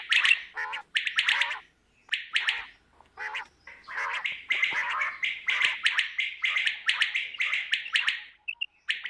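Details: Quail (batair), a morning calling sound of the kind used in quail hunting in Pakistan, gives harsh, raspy chattering calls in quick bursts, nearly continuous with brief pauses, pitched in the upper-middle range.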